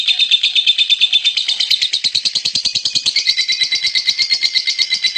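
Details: Champion lovebird in a long, fast, high-pitched chattering run: dense rapid pulses at about three per second, buzzy and steady, shifting slightly lower partway through, with no other clear sounds.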